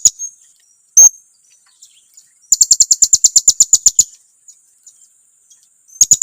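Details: Blue-crowned hanging parrot lure call meant to provoke others: a couple of sharp squeaks, then a rapid steady string of about fourteen thin, high chips, and a final short burst.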